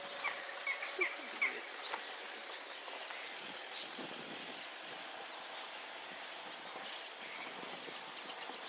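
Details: At 53.317243, 22.465059 in Poland, a Wood sandpiper perched near a wooden post gives four short, high whistled notes in quick succession, then falls silent over a steady hiss of wind or water.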